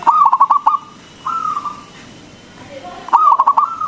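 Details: Big-voiced local zebra dove (perkutut) whose song is meant to make other doves answer. A fast rolling series of short coos, a long even coo, then another rapid stuttering burst ending in a sustained note.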